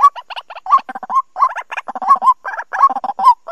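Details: White-breasted waterhen calls used as a trapping lure for the 2020 season: a fast, uneven run of harsh, nasal croaks, many ending in a short upward hook, with soft low grunting notes underneath.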